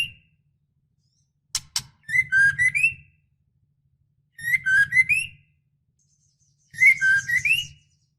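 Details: A female white-rumped shama in breeding condition calls to the male. A short burst of rising and falling whistled notes is repeated three times, with roughly two-second silences between them.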